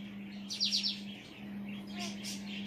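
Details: Male pet African grey parrot on a chair indoors, talking to himself: a quick run of four high bright chirps, then softer breathy sounds, over a low steady hum.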